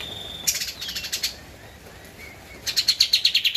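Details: Javan white-eye, a prolific singer, in an original master track for training cage birds: a short run of quick chirps, a quiet thin whistle, then another rapid chirping series.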